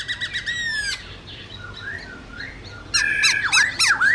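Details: Black-throated laughingthrush singing in the wild style (giọng rừng), used to train young birds: a rapid series of harsh rasping notes, a pause with soft murmurs, then loud whistled, sharply bending phrases.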